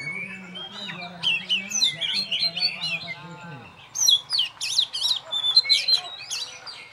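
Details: Caged oriental magpie-robin on a hanging pole sings twittering, sliding whistles while a person talks at first; after the speech stops, loud looping whistled phrases carry on alone.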